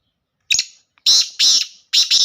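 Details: Black francolin giving a pure laka-style call: a short harsh note, then three loud rasping bursts of about a third of a second each, closely spaced.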